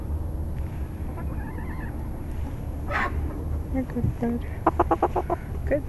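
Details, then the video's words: Coop chickens at night going to bed: scattered soft notes early on, then a short burst of rapid, evenly repeated clucks near the end, with a person talking and a constant low hum. "Chickens Going to Bed, Relaxing Chicken Coop Noises"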